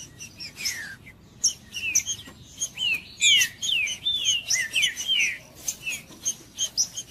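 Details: Song of a green-winged saltator, used to warm up a cold bird: clear whistled slurs, mostly descending, strung together in a busy, irregular sequence of short phrases with little background noise.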